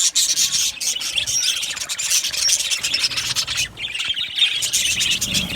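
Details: Budgerigar aviary colony, loud continuous high chatter of many birds, scratchy chirps and warbles overlapping, with a short lull midway.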